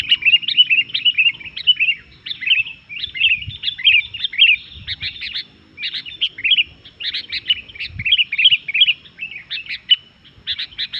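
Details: Energetic 'gacor' song of a sooty-headed bulbul, meant to rile other bulbuls: a long, near-continuous run of chattering, fluty warbled notes in rapid clusters, broken by brief gaps, with soft low rumbles in the background.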